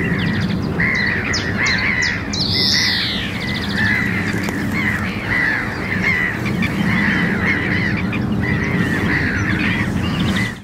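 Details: Greenfinch (Chloris chloris) calls, Wagbachniederung, Oberhausen-Rheinhausen, Germany, 9 April 2023 at 13:05: busy, overlapping twittering and chattering notes, a few higher sharp chirps and a rising wheeze early on, over a steady low rumble.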